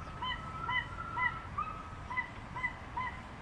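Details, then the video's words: Crested guan (Penelope purpurascens) calling: a series of short, nasal, upslurred honking notes, several to the second, over steady low background rumble. "Canto de la Pava Cojolita"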